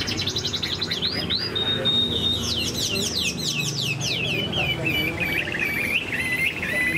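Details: Chinese hwamei during its moult, singing high: a long pure whistle flows into rapid descending notes and then looping, warbled phrases, with faint voices underneath.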